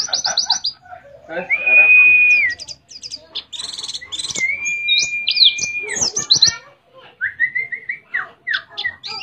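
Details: {'caption': 'Canary-like singing by a white-eye endemic to Mount Ciremai, West Java: clusters of high twittering notes broken by two long level whistles and some lower downslurred calls.'}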